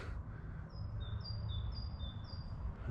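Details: Great Tit calling in woodland where birds are coming back into life: clear high two-note phrases, said to sound like 'teacher, teacher', repeated four times in quick even rhythm over steady low wind noise.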